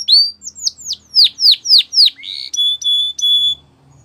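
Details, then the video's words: A Belgian canary sings a series of loud downward-slurred notes, roughly four per second, then switches to several long, pure, level whistles with short gaps between them. "Nature Birds Sound Of Canary | Belgian Canary Singing"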